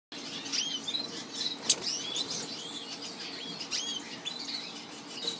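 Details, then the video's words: Young Orange-breasted Buntings (Passerina leclancherii), recorded in 2015, give a busy stream of thin, high chips and short downslurred notes, several overlapping, with soft fluttering and rustling throughout. "Passerina Leclancherii youngs"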